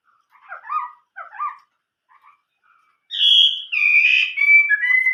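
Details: Chinese hwamei singing the old-forest voice ('giọng rừng già') song. It begins with soft, scratchy chattering notes, then switches to loud, ringing whistles that slide downward.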